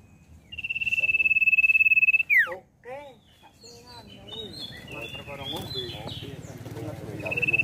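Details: Common iora lure song for coaxing a young iora into song: a sustained, trilled high whistle that falls away steeply, then mixed chirps and other background sounds, with the whistle returning at the end.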